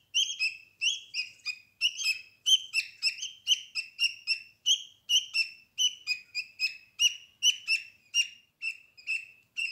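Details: A steady stream of scratchy, buzzy chirps from budgerigar chicks snuggling with their mother in the nest box, roughly two to three calls each second, many in quick pairs, continuing for nearly ten seconds.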